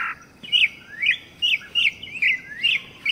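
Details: Campo troupial delivering loud whistled phrases that swoop upward, repeated about twice a second, over soft background noise.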